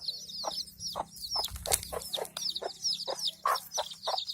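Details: Hen and chicks in a village; short low clucks come every half second beneath constant high chick cheeping, with a brief burst of flapping or scuffling in the middle.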